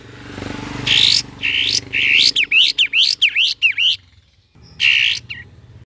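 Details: Cream-vented bulbul in varied chattering song: a quick series of harsh, buzzy, rising notes, some with a looping bent shape, about two per second. After a short pause one more note follows, over a low background rumble.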